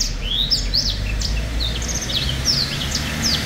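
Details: Black-throated finch singing: short rising and falling whistled notes and twangy slurs, high-pitched, delivered in quick succession over steady low background hum.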